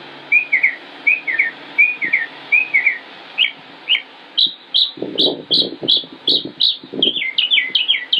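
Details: Northern mockingbird singing in Concord, North Carolina, United States, on 25 May 2016, a male delivering varied phrases: paired slurred chirps repeated several times, then new bright notes, each motif repeated before switching; some low thumping noise midway.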